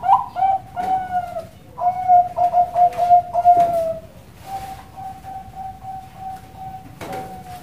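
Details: Zebra dove of the Bangkok type at a farm in Cilacap, Central Java, Indonesia. A string of irregular bubbling coos slides downward, followed by a long, steady, quiet tone and a brief clatter.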